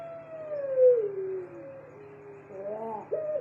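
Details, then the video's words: Barbary dove, a caged puter pelung, ending a drawn-out coo that sinks lower, then starting a short wavering phrase and a fresh rising note, with a steady low hum behind. "sangkar puter pelung"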